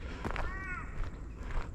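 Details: In spring 2024 at Mookin bah wetlands, a Torresian crow calling from up in the trees gives one short, nasal, slightly falling caw over a steady low rumble of wind.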